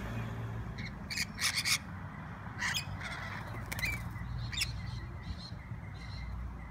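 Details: Wild rainbow lorikeets in Sydney, common and noisy city birds: harsh, raspy screeches in short bursts, several clustered early then scattered single shrieks, over a steady low rumble of traffic.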